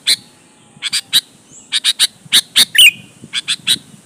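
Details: Sooty-headed bulbul in lively song aimed at prompting other bulbuls to answer: steady series of crisp, high chirps in twos and threes, broken near three seconds by a brief wavering whistled phrase, over soft background noise.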